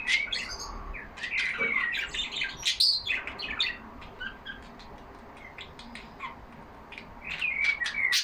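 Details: Caged pet budgies, yellow Australian parrots, talking among themselves: dense bursts of high scratchy chirps, clicks and warbled whistles, loud and continuous early, thinning in the middle, then rising again near the end.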